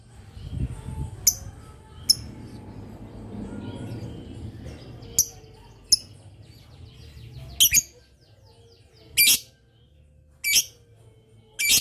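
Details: Lovebird in long 'ngetik' chatter used to draw replies from other lovebirds; scattered sharp high chirps, at first over a murmur of low background noise, then clearer harsh notes every second or so.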